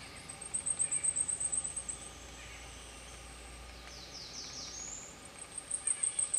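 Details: Two blackpoll warblers bathing in a stream at Fairfax Station, Virginia; a very high, thin series of rapid, even ticking notes, about a dozen in a row, rising in loudness, then a second run begins, over steady rushing water.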